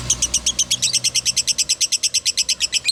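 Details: Lovebird 'konslet' song as a training master: around twenty evenly spaced, sharp chirps in three seconds, each a high, ringing squeak.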